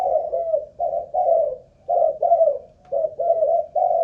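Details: Kept spotted dove of Malaysian stock, used as a ground decoy, tested for cooing stamina; soft double hoots in three groups with a clear pause after each, quiet background.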